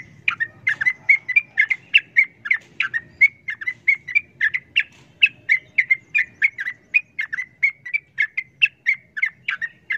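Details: Sooty-headed bulbul in noisy fighting mode against a wild rival, sending out a steady stream of sharp, bubbly two-part chirps, roughly four per second, for the whole stretch. Faint low background noise.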